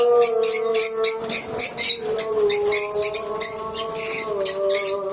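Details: Lovebirds in a colony: dense, overlapping high chirps and squeaks in rapid irregular bursts, with a steady low tonal hum running underneath throughout.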